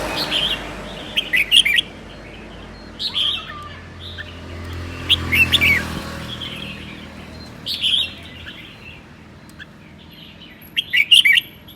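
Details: Cold-day ché singing by a red-whiskered bulbul in Sơn La, Vietnam: clipped, chattering, warbled phrases of two or three notes, repeated about every two to three seconds over a low background rumble.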